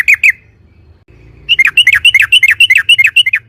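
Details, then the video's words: Yellow-vented bulbul lure song intended to provoke other birds to sing: two quick notes, a pause, then a fast regular string of bright, slurred chirps over a low hum. "trucukan gacor‼️ROPEL PLONG Suara Keras Pancingan Trucuk"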